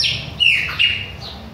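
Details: Chopi blackbird from Bahia giving a short burst of song: a bright descending whistle followed by two sustained clear notes with a slight dip between them.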